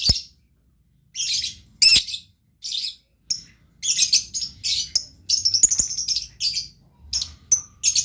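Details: Lively blue lovebird chatter: dense, piercing high chirps run together in rapid bursts, growing longer and nearly continuous toward the end, with a faint low hum beneath.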